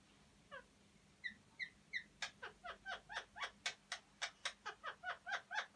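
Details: Alexandrine parakeet mating call, used to bring males into breeding condition. A few soft scattered notes give way to loud, harsh, broadband squawks repeated about twice a second in a steady rhythm.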